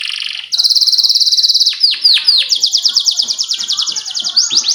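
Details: Young-canary training lure of canary song. A steady high tone leads into a fast buzzing trill, then a few deep falling sweeps. It closes with another rapid, evenly pulsed high trill.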